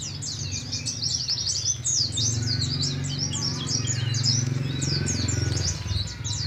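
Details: Young Oriental white-eye from Moga, Pemalang, learning ngalas ngeroll; high rapid chirping runs steadily throughout, partly masked by a loud continuous low engine-like rumble.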